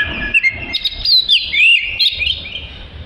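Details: Oriental magpie-robin song meant as tutoring material for other songbirds: rapid varied whistled phrases, sliding up and down, with short chirps in quick succession.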